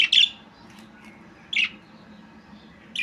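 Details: Three bright, squawky chirps from a budgerigar, spaced about one and a half seconds apart, each brief and harsh, with a quiet low hum between them.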